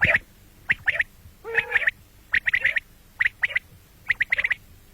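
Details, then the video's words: Common quail giving its call, morning and night: clipped, high, sharp notes in tight groups of three or four, repeated about every second, with one harsher buzzy note early on. "batair ki awaz quil sound beautiful morning and night"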